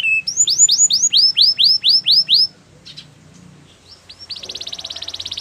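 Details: A canary sings a training song with a run of about ten loud rising-and-falling whistled phrases, a near-silent gap with faint notes, then a fast, rich rolling trill.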